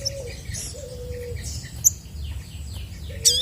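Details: Active chestnut-backed scimitar babbler song: a short low hollow whistle, then a longer level one, and another near the end. Sparse sharp high notes and soft descending chirps of other birds sit over a steady low hum.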